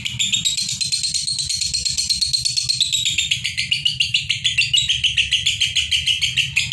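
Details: Two pairs of lovebirds in the konslet style, calling nonstop without pause: dense, rapid high chattering and trilling, many sharp notes run together about 100 per minute, with a steady low hum underneath.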